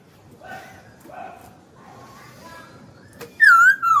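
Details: Kept hwamei bursting into a loud, wavering whistled phrase near the end, after several seconds of faint, low, murmuring background sounds.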